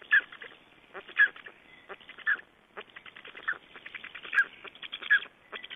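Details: Black storks at a nest in Estonia on 31 May 2012, during nest change, feedings and bringing of nest materials: short harsh rasping bursts repeated about once a second, each with a brief thin tonal note, against a steady background hiss.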